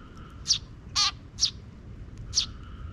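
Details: Sparrows in a park in June, parent birds scouting before young chicks follow them. Four short, bright chirps in three seconds, one longer and harsher, over a faint steady background tone.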